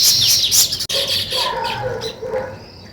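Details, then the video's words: Weaver birds building a nest: loud, high, dense chirping at the start, then fading to softer, lower chattering notes and scattered chirps. "Weaver Birds Building Nest"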